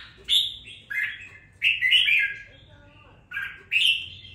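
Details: Red-whiskered bulbul kept in captivity for two weeks, now singing with some fire: a few bright, rolling warbles in separated bursts with short pauses between, against a quiet room background.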